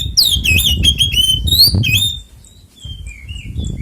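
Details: An Oriental magpie-robin's fighting song, ngeplong tarung konslet style, aimed at provoking other magpie-robins to sing: two seconds of dense, loud, sliding whistles, then a few faint soft notes over low rumble.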